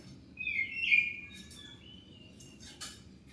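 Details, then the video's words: Oriental magpie-robin song meant to make other birds answer: one loud descending whistle slurring into a sustained note, followed by fainter whistles and clicks over low background hum. "Pancingan Kacer pasti nyaut"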